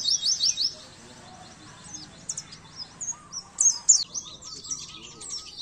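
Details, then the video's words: Oriental white-eye song for masteran training of caged birds. It opens with rapid high chirps, then scattered sharp twitters follow, with a steady low hum running under the second half. "masteran burung pleci"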